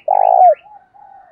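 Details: One long buzzy, throbbing coo from a decoy spotted dove used to lure wild birds, ending in a quick downward slur, with a thin faint whistle trailing after.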